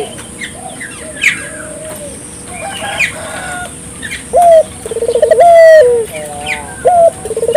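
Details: Puter dove calling briskly, used to stimulate local puter doves to call: scattered chirps and twitters of other birds at first, then loud, low rolling coos in quick succession during the second half.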